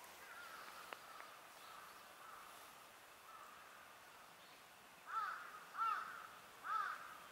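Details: Japanese grosbeak, wild, filmed on 7 March 2020 with a compact camera through a spotting scope; after a faint, quiet stretch come three short, clear, arched call notes about a second apart near the end, over soft outdoor background hiss.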